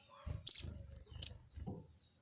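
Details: A crested jay calls to provoke a rival, a harsh, high double rasp followed by a single rasp under a second later. Low knocking sounds and faint muffled voices run underneath.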